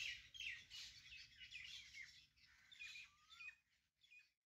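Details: Birdsong over a vegetable garden, rapid high chirps in a busy chorus, then a single rising whistled note before the sound fades and stops.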